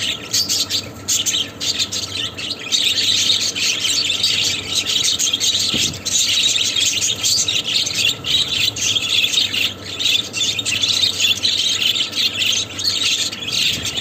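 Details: Budgerigars mating, chattering constantly in a dense, high warbling stream of chirps and squeaks.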